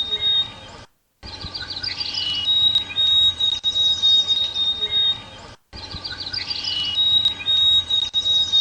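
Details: A White-throated Sparrow in Toronto during spring migration, when it passes briefly on its way to boreal forest nesting grounds, sings a thin, pure whistled song of long, steady high notes, twice, over twittering from other small birds.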